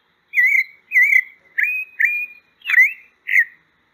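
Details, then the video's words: Pale-breasted thrush song: six separate whistled phrases, wavering slurs then sharper upward-swept notes, spaced about half a second apart, with a quiet background. "O Canto da Sabiá Branca. Sabiá Poca cantando."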